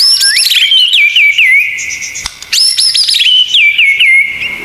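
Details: White-rumped shama (murai batu) singing 'isian tembakan' masteran material. Two loud phrases each open with high whistled sweeps and descend in a series of looping slurred notes, with a brief pause between them.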